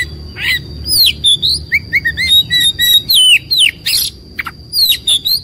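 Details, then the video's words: Oriental magpie-robin in a fighting mood, its tail spread, sings rapid short whistles and slurred notes, about three a second, with occasional harsh bursts over a steady high tone. "KOMBINASI VARIASI KACER NGAMUK | KACER NGOTOT | KACER NGOBRA | KACER BUKA EKOR | KACER TARUNG"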